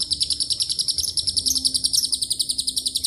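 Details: Brief stretch of a lovebird's long chatter, with cililin and canary phrases among it: sharp, high clipped notes rattle out rapidly and evenly, a few sounding slightly louder and brighter.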